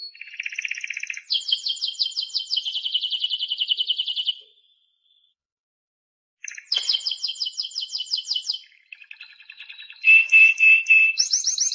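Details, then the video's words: Timbrado canary song in phrases of rapidly repeated pulsed notes, high and low rolls alternating, with a silent gap midway and a louder lower roll near the end. "CD Canario Timbrado"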